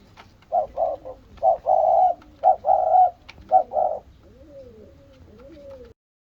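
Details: On seeing its mate, a spotted dove gives a fast cluster of loud, hoarse notes, short and long mixed, then trails off into soft, low arched coos.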